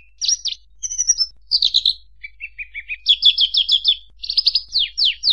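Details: Bushlark song with quick downslurred whistles, a row of lower chirps, then a rapid rhythmic series of repeated buzzy notes and several falling slurs, continuous and lively.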